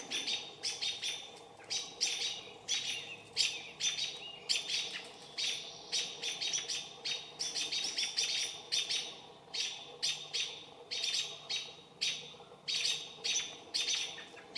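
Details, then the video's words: American robins mobbing a barred owl, trying to drive it off; sharp, clipped, high call notes in rapid bursts and clusters, repeated steadily throughout, several birds calling over one another, with faint low background hum. "Barred owl being attacked by robins"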